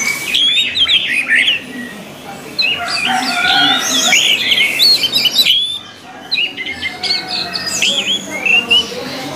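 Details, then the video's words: Sustained orange-headed thrush song for conditioning caged birds: dense, rapidly varied whistles and chattering phrases, a brief dip near the middle, then more bright, fluting notes. "MELATIH SUARA ANIS MERAH AGAR CEPAT GACOR"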